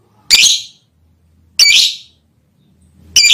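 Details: Lovebird singing to call a female: three harsh, shrill, buzzy bursts, each about half a second long, spaced roughly 1.3 seconds apart, with silence between them.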